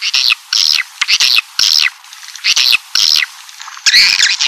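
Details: Swiftlet lure sound for attracting a colony indoors: separate high, buzzy chirps about every half second, with short pauses between them and a denser twitter at the end.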